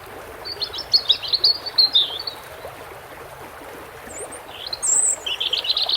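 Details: Above flowing water, a European robin gives a high, rippling phrase of quick twittering notes, pauses, then starts again with thin whistles and a fast jingling trill.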